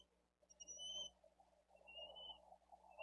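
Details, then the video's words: Younger bald eagle chick asking for food at a Dade County nest, live cam, 13 April 2023, during feeding of its sibling; two high, thin whistles about a second apart amid rustling. "LITTLE ONE CALLS"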